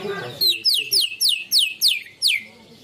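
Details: Greater green leafbird singing canary-style song material ('materi ngunci kenari'): a run of six clear, downward-sweeping whistles, evenly spaced about every third of a second, after a brief murmur of low voices.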